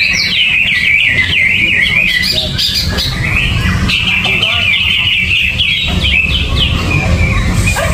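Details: Greater green leafbird in a cage without cover or banana, gerabakan singing: a run of wavering, buzzy high phrases followed by sustained chattering trills, over low background hum.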